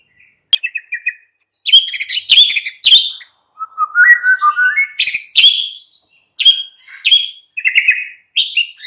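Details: White-rumped shama singing in the afternoon, a recording played to a captive bird to prompt it to sing: clear whistled phrases, short chirps and a descending series of notes, separated by brief silences, with a clean quiet background.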